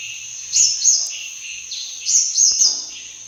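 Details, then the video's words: Sunbird hunting-lure call, given as two pairs of sharp, high, downward-flicking notes about one and a half seconds apart over a steady thin whine. "Sun Bird Calling Sound Effect Mp3"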